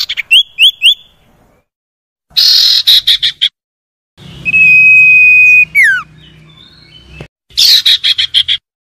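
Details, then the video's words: Common iora song, used as lure audio to prompt reluctant caged birds to sing: short rising whistled notes repeated quickly, harsh buzzy bursts, then a long steady whistle ending in a falling slur, over a low hum. "PANCINGAN UNTUK SIRTU MALAS BUNYI JADI GACOR"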